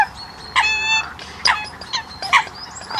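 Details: Eurasian coot calls, loud and close: short sharp nasal notes repeated roughly every second, one followed by a drawn, harmonic-rich honking tone, with softer clipped notes between the main calls.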